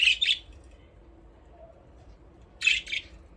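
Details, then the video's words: Budgerigars playing in an aviary: a quick double chirp at the start, a long pause, then another rasping pair of chirps near the end. "Budgies parrot chirping sound"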